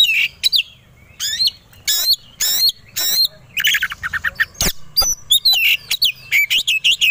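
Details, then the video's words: White-rumped shama (kacer) provoked to sing aggressively, ready to fight: loud varied bursts of whistles, harsh broadband notes and rapid trills high in pitch, delivered in quick irregular phrases with short gaps. "Pancingan Kacer Agar Cepat Emosi Gacor 3 || Super Gacor Langsung Tarung"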